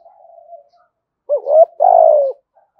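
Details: Spotted dove call for luring wild doves: a faint distant coo, then a loud rising two-part coo and a long buzzy falling coo.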